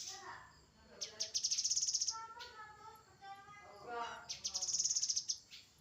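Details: Two bursts of fast, high-pitched trilled notes from a grey-headed canary-flycatcher, each about a second long and separated by quieter, lower chattering phrases.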